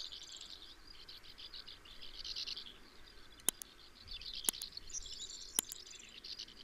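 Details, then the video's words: Several sand martins give a steady, dry, raspy twittering chatter with three sharp clicks over a light background hiss. "Sand Martin"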